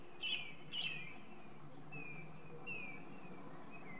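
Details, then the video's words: Song thrush singing: two loud, sharp, slightly buzzy notes repeated half a second apart open the phrase, followed by fainter thin whistled notes, all over a steady low background rumble. "Drozd zpěvný - The song thrush: Zpěv/Singing"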